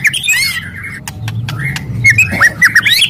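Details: White-rumped shama in aggressive crackling song intended to stimulate other shamas: whistled slurs and sharp clicks, then a run of rapid downward-swooping notes near the end, over a low mechanical hum.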